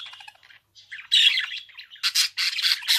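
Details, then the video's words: Budgerigar warbling: quiet fluttering chatter at first, then a loud grating burst, more twittering, and a run of four harsh rasping squawks packed close at the end. "Kuş sesi - Muhabbet Kuşu"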